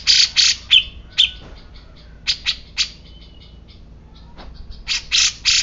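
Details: Grey-cheeked bulbul giving harsh, broadband squawking bursts, several loud rasping notes at the start and end with thinner, quicker chips in between, over a quiet background.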